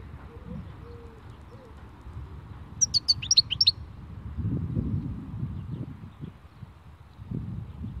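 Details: European goldfinch, khalwi-style song: one quick burst of about a second of bright, high twittering notes rising and falling, amid steady low background noise and faint low whistles.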